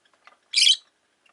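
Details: Rosy-faced lovebird, one of five pets in a cage by a window, gives a single short, harsh, high chirp; the rest is near silence with faint, scattered ticks.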